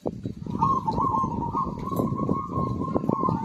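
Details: Zebra dove in vigorous song, played to coax quiet birds into singing: one long, unbroken purring trill of rapid cooing notes, held level for about three seconds above low, busy background rumble.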